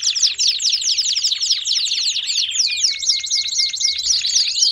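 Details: Canaries singing as a baderna chorus to warm up other birds: quick sweeping chirps stack densely, and a long level whistle runs through the second half amid nonstop high trills.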